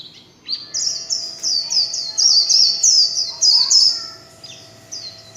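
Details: Warbling white-eye (vành khuyên) singing its líu chòe song, recorded without background noise: a rapid run of high, thin, bright warbled notes repeated about three times a second, pausing briefly before two final notes.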